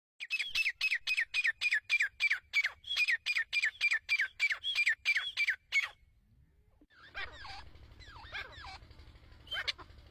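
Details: Female grey francolin (teetar) giving a fast run of loud, harsh, repeated notes for about six seconds, then quieter mixed chirps and background noise.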